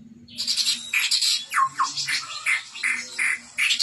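Chestnut-rumped babbler giving a busy run of harsh, chattering notes, about three per second, with a couple of clear downslurred whistles mixed in.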